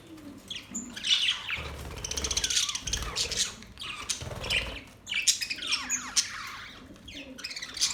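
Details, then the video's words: Australian parrots, recorded October 10, 2023, chatter with many overlapping high, scratchy chirps and squawks, with fluttering wingbeats and occasional low thumps. "Beautiful Australian parrot sounds | Parrots talking sound"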